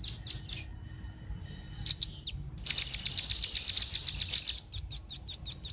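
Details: A pair of velvet-fronted nuthatches, male and female, with calls used as bird lure: a few high chips, a pause, then a rapid piercing trill and a closing run of evenly spaced sharp notes.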